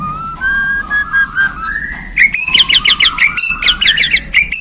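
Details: White-rumped shama of the Borneo form giving spicy 'isian' filler song right after being handled: clear rising whistles, then fast rattling, chattering phrases with sharp clicks, a faint low hum beneath.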